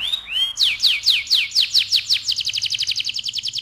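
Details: Loud AF canary rolling song, ngerol style: a short looping whistle, then a series of steep downslurred notes, accelerating into a fast even trill of sharp chips about eight per second.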